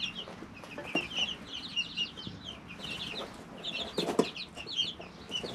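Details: Chicken chicks three weeks old in their brooder, going about their day; a chorus of short high chirps and rolling trills repeats throughout, over light scratching and shuffling.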